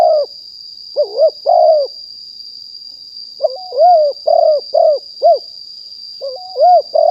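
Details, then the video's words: A wild spotted dove decoy-calling, recorded live in 2021, repeats cooing phrases made of a brief lead-in and several hollow, rounded coos separated by pauses, with a constant faint high hum behind. "นกเขาใหญ่ป่าเต็ม100% บันทึกสดเสียงต่อนก2564"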